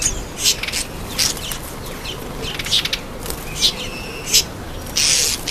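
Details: Red-faced mousebird at a birdbath giving short, high, thin whistled notes at irregular intervals, roughly every second, with bursts of wing flutter or splashing.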